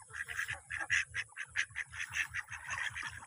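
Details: Ducks quacking in a rapid run of short nasal calls, roughly one or two every second, clustered bright and harsh with a steady low hum underneath.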